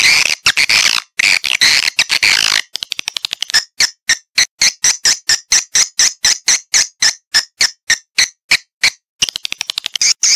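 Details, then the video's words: Swiftlet call used to attract swiftlets into a bird house: a dense chattering burst, then a fast train of short, sharp, evenly spaced clicking chirps about four per second, ending in renewed chatter. "ÂM THANH GỌI CHIM YẾN ĐẶC BIỆT VÀ TĂNG ĐÀN NHANH"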